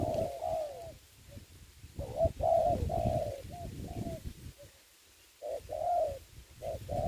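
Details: Ground decoy spotted dove used in trapping in Vietnam, delivering a series of low mellow coos, short and long notes alternating, with brief pauses and low background rumble.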